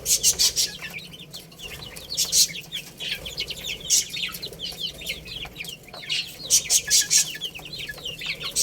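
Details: Flock of little chicks playing and eating: continuous shrill peeps, each a quick downward slide, from many birds together, with rhythmic clicking from beaks striking food.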